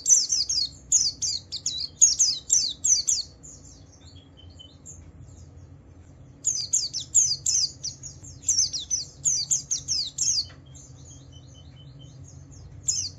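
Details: Javan white-eye song to make other white-eyes sing along: bursts of fast high descending chirps, a quiet gap of about two seconds with scattered notes, then renewed rapid twittering.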